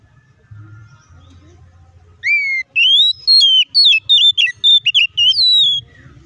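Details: Oriental magpie-robin lure song for provoking aggressive replies. After two quiet seconds of low hum, a rising whistle opens a fast, choppy run of varied slurred whistles and chirps that ends on a long falling note.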